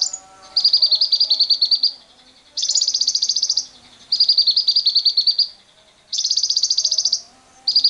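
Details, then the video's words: Long lovebird ngekek to stimulate other lovebirds, recorded with wild birds: five fast, shrill, chattering trill bursts about one to one and a half seconds long, alternating with brief quiet gaps. "Pancingan JITU Lovebird Bisa Ngekek panjang bersama burung liar"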